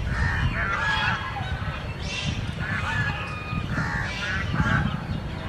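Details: Duck on a pond, giving harsh, nasal honking calls in short bursts roughly every second, some overlapping, over a steady low rumble of background noise.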